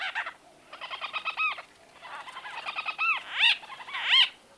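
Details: Close-range exchange among white-fronted bee-eaters: rapid, stuttering runs of nasal, arched notes blend into each other, then two louder ringing calls near the end.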